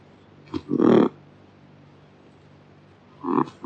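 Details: Kakapo calling with a short, rough squawk early on, then silence, and a second, briefer harsh note near the end over a faint low hum.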